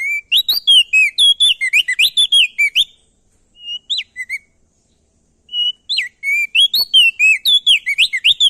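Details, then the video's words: Crested darkeye male of Nusa Tenggara singing loudly and at length to spur other birds to sing: dense rapid whistled phrases, a quieter gap with a few scattered notes, then another fast burst of sliding whistles. "Burung Prenjak daun NTB Gacor Atas Bawah Bikin Burung Opior jambul Malas Bunyi Jadi Gacor"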